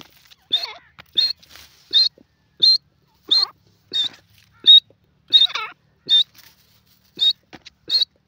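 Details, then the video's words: Grey francolin giving a series of high, sharp, squawky notes, some with lower, warbling tails, repeated irregularly about every half second. "jungli teetar beautiful awaz,grey pheasant bird awaaz"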